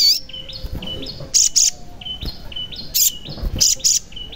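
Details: Sogon, or crimson sunbird, singing in a recording meant to coax silent birds into song. Short flat high whistles step up and down in an even series, with sharp harsh chirps bursting in between.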